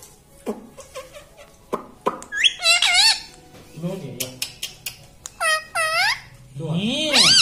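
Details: Pet green ring-necked talking parrot, indoors, taught to say mummy: a human voice speaks at first, then the bird answers with several loud, harmonic, rising-and-falling voiced sounds, the last one swelling upward near the end.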